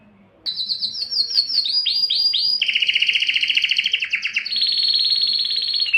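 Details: Singing canary starting after a brief silence with a high rolling trill, then a run of quick downward-swooping notes, a dense buzzy rattle and a long steady high trill.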